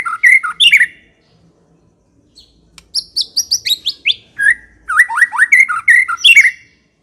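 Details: White-rumped shama in ngekek song: a few loud whistled slurs, a quiet gap, then a run of high sliding notes and a lively series of swooping whistles and sharp chips.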